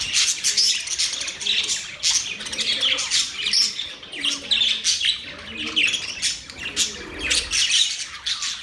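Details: Singing budgerigars producing steady rapid warbling, chirps and harsh squawks in rolling waves, with several voices layered throughout.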